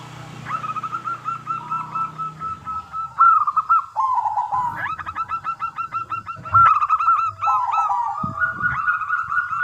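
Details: Zebra dove of local stock, an eager singer, giving a lure song to prompt replies from other doves: long chains of clipped, hooked cooing notes, some dipping lower, with overlapping high twittering from other birds.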